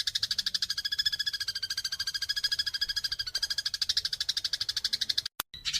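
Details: House sparrows fighting, a master track for training songbirds: an unbroken, rapid, rattling chatter of buzzy pulses, cut briefly near the end by a short gap.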